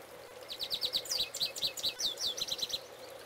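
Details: Male goldfinch singing at close range: a quick, high twittering run of varied chirps and short trilled phrases, fairly soft over a steady low background hum.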